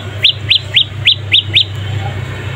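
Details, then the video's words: Young prinia, a chick of the bird locally called prenjak lumut or prenjak pyeng, giving six sharp, high chirps, each rising then dipping, spaced about a quarter second apart, over a steady low hum. "Suara anakan burung prenjak lumut gacor mantab"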